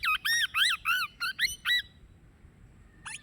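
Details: Plum-headed parakeet giving a fast run of seven loud, bending, squeaky shrieks in under two seconds, then a short pause and one more sharp call; quiet background.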